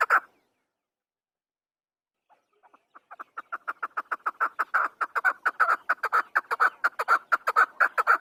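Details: Afghan chukar partridge (chakor) call: after a single note and two seconds of quiet, soft clucks start and build into a loud, rapid run of repeated chuck notes, about two per second.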